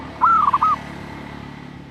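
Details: A single cooing phrase from a female zebra dove calling to a male: a drawn opening note, two quick warbled beats and a held final note, over steady low background hum.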